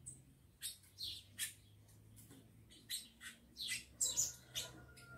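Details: Captive rufous-collared sparrows, males said to be fired up for fighting, kept with females: sharp high chirps in irregular bursts, some double notes, over a low steady hum.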